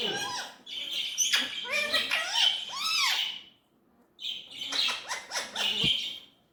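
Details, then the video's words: Indian ringneck parrot chattering in imitated speech: two long strings of scratchy, rising and falling syllables, a short gap in between, faint low background hum. "Natural talking parrot voice"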